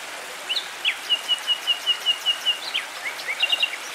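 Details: Nightingale singing near a tranquil stream: a long phrase of about a dozen sharp, evenly spaced high piping notes on one pitch, framed by quick slurred whistles and a short twittering flourish at the end.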